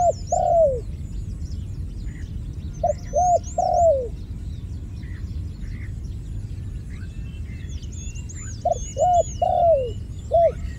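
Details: A dove repeats a cooing phrase twice, separated by a long gap. Each phrase is a few short hollow notes, then a longer downward-sliding coo, with faint high bird chirps in the background.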